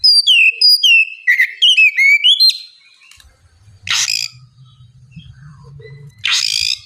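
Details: Oriental magpie-robin singing ngeplong as a lure for birds slow to sing: fast loud descending whistles and chattering notes ending in a held whistle, then quiet with two short bursts of harsh noise.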